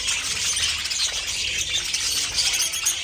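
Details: Budgerigars in a pet group chatter nonstop, scratchy high twitters and brief squeaky notes layered densely across the whole stretch.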